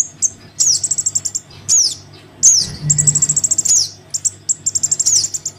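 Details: Crimson sunbird nestling calling for its parent, a lure sound: rapid series of very high ticking chirps, sliding squeaky notes between runs, about a dozen clicks per burst, with a faint low hum in the background.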